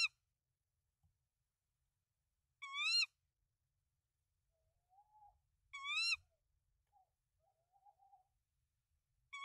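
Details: Tawny owl on a nest of three eggs in Denmark, 24 March 2024, during a rodent delivery by the male to the female; two bright wavering calls about three seconds apart, with softer, lower short notes in between and at the end.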